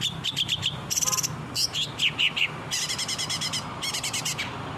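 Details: Actively singing long-tailed shrike, used to train captive birds: varied phrases of stuttering rapid notes, upslurred whistles and buzzy, rattling trills follow one another without a break.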